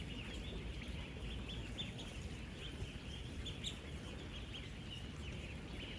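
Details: Thousands of 10-day-old ducklings on a real duck farm, interacting while feeding: a dense chorus of high, short peeps with brighter individual calls now and then, over low steady noise.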